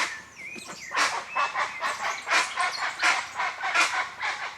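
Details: Wild guan recorded in nature: a rapid string of harsh, raspy honking bursts starting after a second, with a thinner whistled bird song and faint rustling behind.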